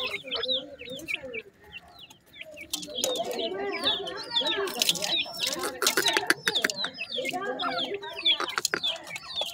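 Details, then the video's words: A group of painted francolin chicks only days old peeping constantly, high downslurred cheeps that grow busier after a brief quieter spell, mixed with lower soft clucking notes and scattered sharp clicks and rustles. "dakhni teetar chicks bird voice in first days"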